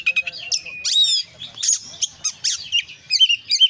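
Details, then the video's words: Oriental magpie-robin in energetic 'gacor' singing of the 'konslet' style, full of 'isian' fills. Fast, varied high chirps, whistled slurs and buzzy bursts come in quick broken phrases, with faint low background noise. "kacer gacor KONSLET full isian"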